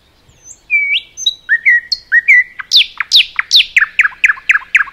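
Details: Common nightingale, forest setting: after a quiet start come rising whistles, then a fast series of about fourteen sharp, descending notes delivered steadily.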